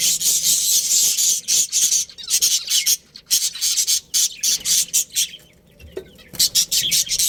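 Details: Budgerigars, a breeding pair in a colony, keep up loud continuous chatter: harsh, high, scratchy warbling in dense runs, broken by brief pauses and clipped chirps.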